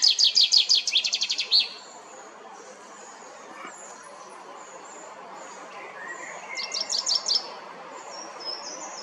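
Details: Common chaffinch singing in La Perle du Lac park, Geneva, Switzerland. A bright, rapid trill of repeated notes lasts about a second and a half. A quiet pause follows, then a second shorter trilled phrase comes with faint background birds.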